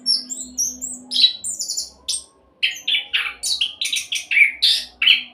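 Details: Orange-headed thrush singing quick 'roll' style song, used as a lure to trigger other birds' singing: high thin whistles, a short pause, then a run of punchy, buzzy chirps, over a soft low hum.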